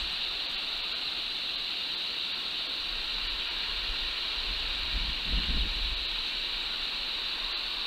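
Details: Constant hissing noise, like rushing water or steam, with a brief low thump and no animal voice.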